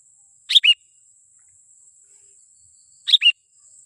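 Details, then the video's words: Sooty-headed bulbul lure call used to attract wild bulbuls: two short bright double notes, the second lower, about two and a half seconds apart, over a steady thin high whine. "Suara asli pikat kutilang Ziggo 100% ampuh memanggil raja nya kutilang liar"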